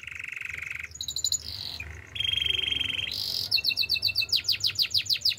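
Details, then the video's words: Male canary in song: a low buzzing roll, short high rattles, a long mid-pitched trill, then a run of quick falling whistled sweeps, with faint low background hum. "Male canary singing with beautiful voice"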